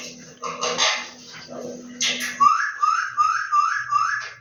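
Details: Pet Indian ringneck parakeets, a green and a yellow, in talking mode: a rough, noisy burst of chatter, then five quick rising harmonic notes repeated about every half second.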